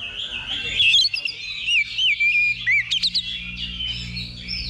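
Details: Oriental magpie-robin during a level-2 contest simulation held as training: a burst of clear whistled notes that rise and fall in loops, then short, separate chirps, over a soft background hum.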